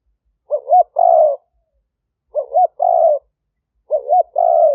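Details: Spotted dove recorded live near Roi Et, Thailand, during decoy calling that drew in wild doves; three phrases about every one and a half seconds, a wavering double note then a longer rough coo.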